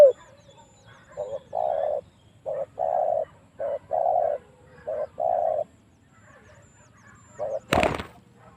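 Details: Spotted dove lure call used to draw wild doves into fighting: soft paired coos, a short note then a longer level one, repeated several times at low volume, with a sharp loud click near the end.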